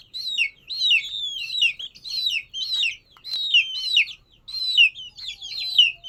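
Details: Young chicken giving shrill falling peeps in quick succession, about one every half second, each note sliding downward; a faint low background hum underneath.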